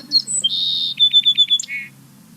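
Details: Song sparrow; song; differences in song may matter to females choosing mates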